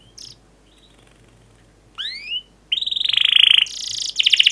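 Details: Canary singing energetically as a stimulus for other canaries: a few faint high notes, then a sweeping upward whistle, then dense rapid rolling trills and buzzy high bursts near the end.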